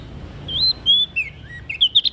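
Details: Olive-backed tailorbird from NTB singing vigorously to stimulate other birds: clear whistled notes, some long and level, others dipping, then quick high chirps toward the end over a faint low background rumble.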